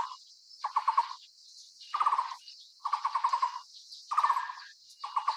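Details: A Taiwan barbet (Psilopogon nuchalis), a Taiwan endemic, while feeding a chick gives hollow, mid-pitched rattling trills, each about half a second long, repeated roughly once a second over a steady high insect hiss.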